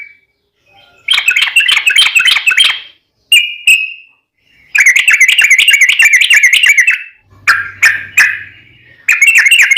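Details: Yellow-vented bulbul in long, rapid-fire 'ropel panjang' song, used to draw other bulbuls to answer: bursts of fast, bubbly, trilled notes, each run lasting one to two seconds and separated by short pauses, with a brief low hum near the end.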